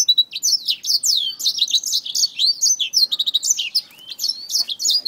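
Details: Black-throated finch fighting a finger, giving a dense run of sharp, high chirps and short upslurred and downslurred twitters, closely packed with brief pauses, no other sounds.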